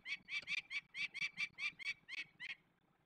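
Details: During the release of young peregrine falcons in the Barycz Valley, Poland, 27 May 2020, a loud series of about a dozen grating kek calls, followed by silence for the last half second.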